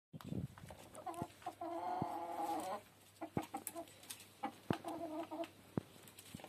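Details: Laying hens in their coop give a drawn-out, harmonic clucking call lasting over a second, followed by scattered shorter clucks and sharp knocks or taps throughout.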